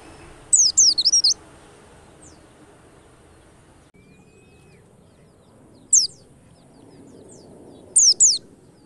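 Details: White-eye lure call meant to stir white-eyes into activity: three bursts of very high, thin, rapidly zigzagging twitters, the first lasting nearly a second, over a soft low background hum.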